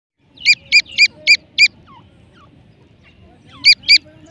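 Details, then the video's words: Francolin (teetar) calling: a rapid run of five sharp, high, ringing notes, about four per second, then a pause and two more matching notes, over a low murmur of background noise. "teetar checks calling video"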